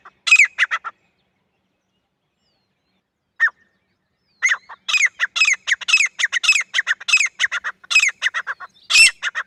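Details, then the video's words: Jungle partridge (francolin, teetar) calling, offered for jungle hunting attraction: a short burst of grating notes, a long pause with one lone note, then a sustained run of rapid harsh, rasping phrases. "Francolin Calling Voice"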